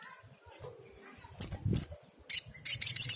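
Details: High thin whistles from a brown-throated sunbird, sogok ontong, building into sharp chips and then a rapid, very high, buzzy 'tembakan' trill in quick bursts, with a soft low rustle midway.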